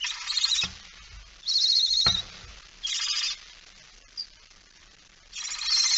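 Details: Barn owl with a mouse, 17 September 2019, 06:11: drawn-out rasping hisses alternate with pauses, broken by two sharp knocking clicks and a brief faint squeak.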